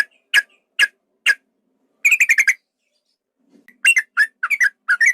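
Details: Male yellow-vented bulbul calling to provoke a fight: three spaced sharp notes, a quick run of five chattering notes, then a varied string of whistled notes rising and dropping.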